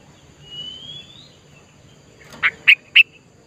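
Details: Wild sooty-headed bulbul in natural surroundings: a thin, drawn-out rising whistle, a pause, then three short, bright, evenly spaced chirps about a quarter second apart over a quiet background.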